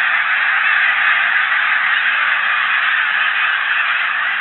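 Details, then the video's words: Snow geese in winter, feeding and resting in ponds behind the visitor center at Blackwater National Wildlife Refuge, 17 January 2020; a dense, continuous wall of overlapping honking from a large flock. "Snow Geese Action"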